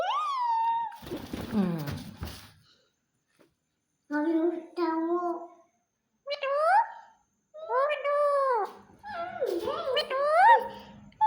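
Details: A parrot talking, said to be saying good morning: several short voiced, speech-like phrases separated by pauses, with tones that rise and fall, some lower and flatter, the last phrase busier and more chattering.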